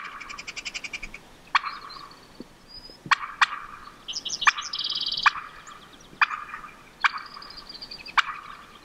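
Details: A wild Merriam's wild turkey hen clucks while crossing a road on Montana public land, an opening run of quick, even notes, then sharp, dry clucks about once a second, with some higher squeaky calls between.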